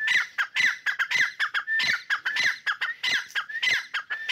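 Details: Loud, harsh, rasping calls from fighting partridges, rapidly repeated almost twice per second with short whistled tones mixed in.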